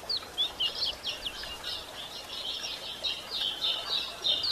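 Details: Female White-throated Seedeater calling to stimulate males: dense runs of thin, high chirps and short buzzy notes, quick and uneven, with soft background hiss throughout.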